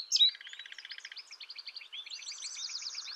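Indigo bunting: a sharp opening note, then a rapid string of high, paired, slightly buzzy notes that shift pitch and rise near the end.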